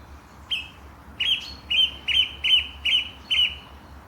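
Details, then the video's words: Bird chirping in the morning at Langley Park, Durham; a run of seven sharp, bright chirps, one roughly every half second, over faint low rumble. "Morning bird chirping"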